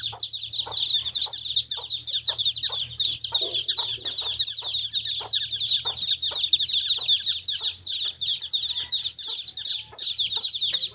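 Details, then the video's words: Dense chirping from numerous baby chickens: high, piercing peeps packed tightly together in an unbroken chorus, with scattered soft ticking sounds underneath. "The sound of chicks chirping"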